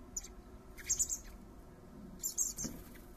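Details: Brief bursts of sharp, very high squeaky begging notes come from common blackbird fledglings being fed by their father in a garden, two clusters about a second and a half apart.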